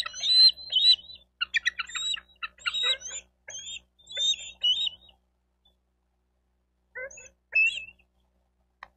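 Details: Bald eagle at a Miami-Dade County, Florida nest on 28 May 2023, nest-camera recording: rapid, high, shrill chittering in clustered bursts for five seconds, a pause, then a short final series of squeaky notes.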